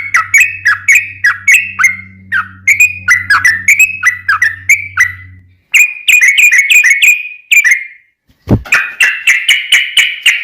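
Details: Sooty-headed bulbul delivering long 'ropel' song used as a lure to set other bulbuls singing; rapid chains of liquid whistled notes with brief pauses, a steady low hum early on and a sharp click near the end.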